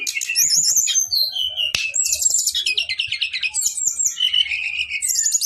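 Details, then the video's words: Male brown-chested jungle flycatcher in long rolling 'ngeroll' song, pouring out quick high twittering phrases, rapid trills and swooping whistles that rise and fall, with a sharp click near the middle. "SIKATAN RIMBA DADA COKLAT NGEROOLL PANJAAAANG"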